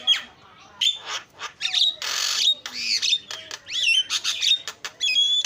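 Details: Javan myna filler song meant to prompt a bird that has stopped singing: a jumble of harsh squawks, a broad raspy burst and sharp bent whistles, loud and irregular.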